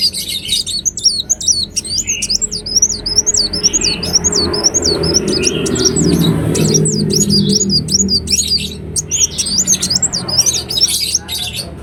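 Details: Ruby-cheeked sunbird, called kolibri wulung in Indonesia: high, thin zigzag trills sung in rapid repeated phrases, with a steady low hum and murmur underneath.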